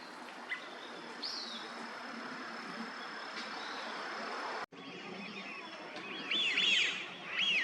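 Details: Eurasian wigeon, a winter visitor to Japan, at Junsai-ike park green space, Chiba, in November 2023, giving two clear whistled 'whee-oo' calls near the end over a steady hiss of traffic and park noise.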